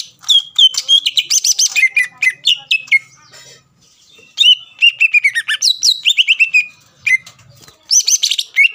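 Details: Song of a greater green leafbird used to agitate other leafbirds: bursts of clear whistled notes and buzzy chirps, some descending slurs, delivered in quick runs separated by brief gaps.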